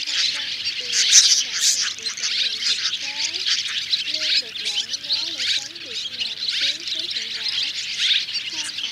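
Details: Roost-gathering calls mixing white-bellied, striped and grey-brown swiftlets and swallows; dense high twittering with sharp louder chips, over faint wavering human voices.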